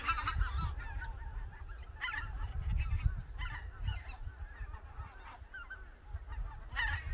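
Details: Wintering white-fronted geese on a morning flight from a reservoir roost to feeding fields on a plain in Cheorwon, Korea; many birds give quick, yelping honks in overlapping bursts, several per second, over steady low background rumble.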